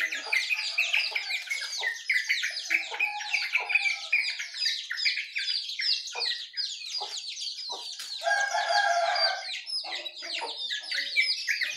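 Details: Songbirds in the morning, said to be jongkangan, yellow-vented bulbul and white-eye, producing a continuous tangle of fast chatter and twittering, with a harsher, rattling stretch rising from the mix late on.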